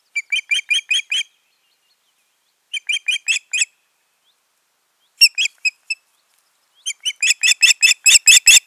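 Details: Pair of ospreys at the nest in June 2019; repeated bouts of shrill whistled chirps separated by pauses, ending in a long, loud, quickening series of insistent piping notes.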